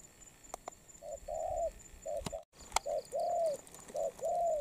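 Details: Newly wild-caught spotted dove, molting, of the Đồng Pha voice type. It gives low, hollow coos: short notes followed by longer, slightly arched ones in quick phrases, with a pause and a sharp click midway.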